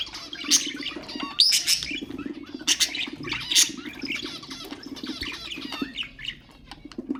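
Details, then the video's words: Pet budgerigars warbling to stimulate other birds: busy, twittering stream of sweeping whistles, chirps and scratchy squawks, with a low steady hum underneath and wing flutter. "اقوى أصوات طيور البادجي طيور الزينة أصوات تحفيز الطيور"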